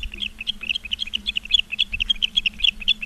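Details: Rapid, piercing chirped whistles from ospreys at a Charlo, Montana nest, captured by a live camera on 15 August 2023 at 16:06, tumbling in a dense, slightly irregular series with low hum behind.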